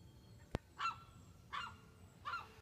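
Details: A young gull gives an early-morning wake-up call on 22 March 2015: three hoarse, nasal honking calls, roughly one every three-quarters of a second, with a sharp click just before the first.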